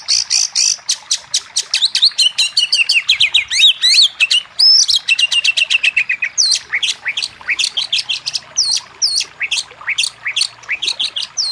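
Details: Oriental magpie-robin song aimed at rousing a quiet bird to sing with open beak; energetic rapid chirping and trills, then looser, hooked whistled notes spaced about two or three per second.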